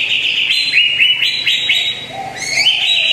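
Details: Greater green leafbird lure song for encouraging a quiet bird to sing, a run of quick rising whistled notes repeated several times a second, then a brief lower note and a renewed high phrase.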